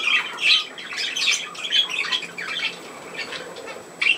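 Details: Captive budgerigars give harsh, scratchy squawks and chirpy chatter in quick succession. The calls are loud at first, then fade to softer mutterings before a final sharp squawk.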